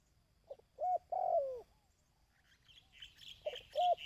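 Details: Dove coo used for decoy training, 2024: a soft note, an arched hoot and a long falling coo, then after a pause, higher chirping from other small birds and two more hoots.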